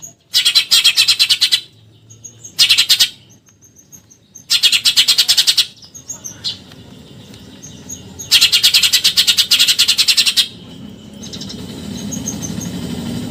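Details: 'Tembakan nyerecet' bursts from a Eurasian tree sparrow in a training recording for contest birds: four harsh, fast-pulsed rattles of one to two seconds each, separated by short gaps, with faint high twitters and low background rumble.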